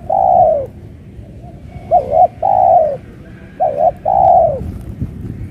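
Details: A caged spotted dove set out on open ground gives a low, mellow cooing phrase: a long coo, a quick double note, another long coo, repeated with short pauses.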